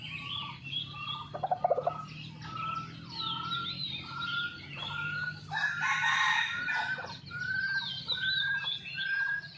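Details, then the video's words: Hidden-camera recording of red junglefowl, very active this morning after a storm: a harsh, ragged crow rings out around six seconds amid a run of evenly spaced whistled notes from other birds, with a soft low hum throughout. "ตั้งกล้องแอบชมไก่ป่า หลังพายุเช้านี้คึกมาก!!"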